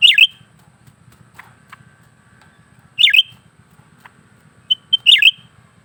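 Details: Lesser green leafbird in a cage singing without pause, three bright descending whistled bursts about two seconds apart, some introduced by short high notes, with faint clicks and a low background hum.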